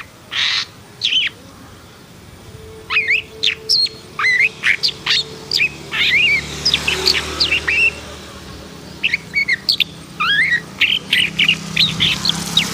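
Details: Long-tailed shrike, the black-and-white form, singing a varied run of sharp, rising and falling chirps and scratchy notes in quick bursts, with short pauses between phrases; faint low hum in the background.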